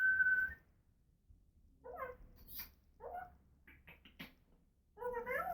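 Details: Pet African grey parrot indoors gives a clear short whistle, then soft mumbled speech-like notes and a rising talking phrase at the end.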